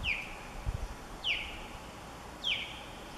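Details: Female osprey on the nest, stressed by an intruder osprey hanging around all afternoon, gives sharp whistled chirps that drop in pitch, one roughly every 1.2 seconds, against a steady background hiss.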